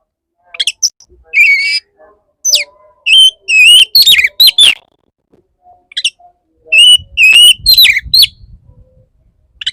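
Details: Courtship singing of a male Oriental magpie-robin toward a restless female: varied whistled notes, wavering slurs and rapid upward sweeps grouped into lively bursts, with a soft low rumble later on.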